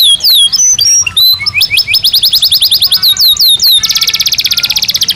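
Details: Belgian canary singing naturally, used to train canaries: descending whistles, a long run of rapid rising chirps, then an even, very fast high trill to the end.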